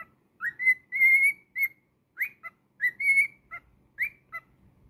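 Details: Pet cockatiel singing a clear whistled melody of upswept starts, long held notes and short lower chirps, with the phrase starting again after about two seconds.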